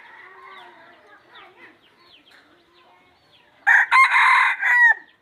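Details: Wild red junglefowl rooster gives one loud, hoarse crow in several choppy segments ending in a long, falling note. Before it, quieter bird twitters and chirps run through the background.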